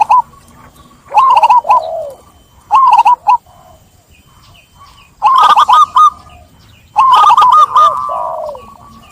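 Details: Zebra dove (perkutut) song: three bursts of rapid staccato cooing notes, bright and trilled, each burst trailing into a lower, softer purring coo, separated by quiet pauses.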